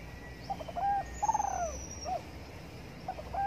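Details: Spotted dove cooing while sunbathing in the morning: a soft low phrase of a short note, a held coo, then a longer trembling coo that slides downward, with a faint high whistle from another bird in the background.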